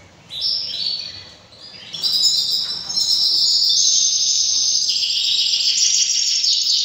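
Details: Canary in breeding season pouring out a dense high warble that swells into a loud continuous buzzy trill, with faint background hiss.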